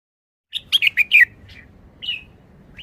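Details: Red-whiskered bulbul giving a short, simple phrase in the 'forest song' style: after brief silence, five quick, loud, bubbling whistled notes in a row, then a softer trailing note and a lone rising whistle.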